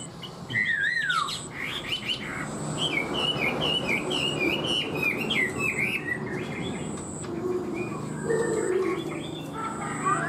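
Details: Caged Chinese hwamei song: a descending whistled slur, then a quick series of repeated looping whistled notes, with quieter phrases later over a steady background hum.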